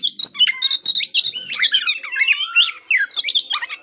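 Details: White-rumped shama song used to rouse aggression in rival birds: a dense, rapid run of varied chirps, buzzy notes and slurred whistles, with a lower warbled phrase in the middle, continuous throughout.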